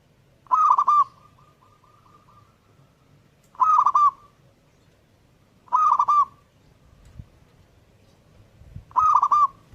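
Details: Zebra dove singing steadily: four crisp bursts of fast, rolling staccato coos, each under half a second, about every two and a half seconds. A faint echoing tail follows the first burst over a quiet background.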